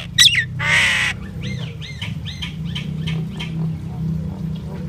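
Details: A common myna sings, opening with a sharp squeak and a long harsh screech, followed by a series of softer arched gurgling notes repeated about twice a second, over low background rumble.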